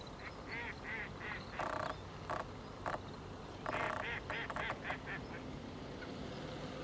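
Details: Grey-capped greenfinch calling, recorded 16 January 2023: bursts of quick, chattering twittered notes in two runs, broken by loud short rustling or knocking noises, over a steady high insect-like hum.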